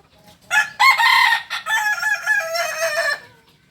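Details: Kukuak balenggek chicken, native to Solok in West Sumatra, crowing: a loud rich crow broken into many short linked syllables, starting high and stepping down, lasting nearly three seconds.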